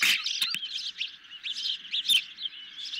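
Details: Hungry ospreys at a nest are being fed a medium-sized fish late in the evening on 10 July 2021, recorded by a nest camera. Dense, overlapping, squeaky whistled chirps run throughout, with a few sharp clicks or knocks.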